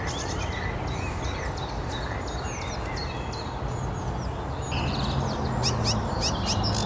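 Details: A sedge warbler at Szachty in Poznań, Poland, on 5 May 2024 sings a fast, varied chatter of high dry notes and short trills mixed with whistled phrases, over a steady low rumble of wind or distant traffic.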